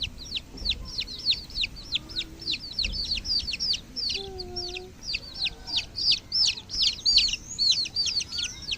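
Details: Chicken chicks calling in a dense chorus of shrill, falling peeps, many per second and overlapping, with a few faint lower tones beneath.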